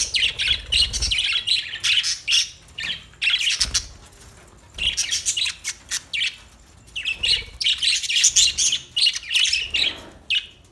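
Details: Several new pet budgerigars chattering in loud bursts of scratchy, rapid chirps and warbles, separated by brief pauses, lasting the whole stretch.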